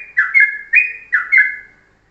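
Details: Morning master song of a yellow-vented bulbul in the short, tight ropelan style: four clear whistled notes, each a quick dip then a level tone, delivered in two pairs over two seconds.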